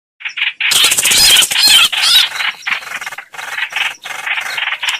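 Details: Streak-eared bulbul song used as a lure for bird trapping: bright, chattering high notes in quick bursts, partly overlaid early on by a loud, hissy broadband rasp.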